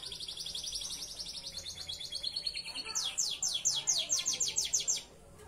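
A Belgian Bossu canary sings a fast, high rolling trill, then shifts into a series of sharp, down-slurred whistled notes repeated rapidly.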